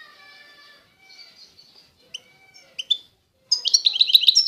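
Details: European goldfinch of the Constantine song style, eastern Algeria: faint, thin drawn-out whistles and scattered soft chips, then a sudden loud, quick run of bright twittering notes closing the passage.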